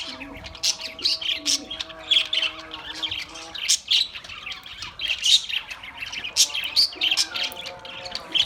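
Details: Lively Australian parrot chirping, with quick high squeaks and squawks in uneven bursts over faint steady low tones.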